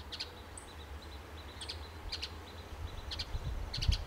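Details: In pine trees of Del Monte Forest, California, an adult male Western bluebird gives brief sharp chips, doubled or in short runs about every second, alongside faint high whistles and low background noise.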